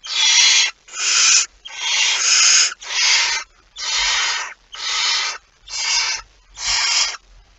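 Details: At a barn owl nest with prey shortly after midnight on 23 September 2019, a run of eight rasping hissed screeches follows almost without pause, some running together, with faint low thuds underneath.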